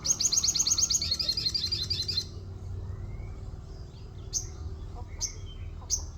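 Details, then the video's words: Orange-spotted bulbul song filled with white-eye-like 'wit wit' notes: a fast, high, buzzy trill lasting about two seconds, then a pause and three sharp high chirps about a second apart, over low background rumble. "sogon isian wit wit kayak pleci"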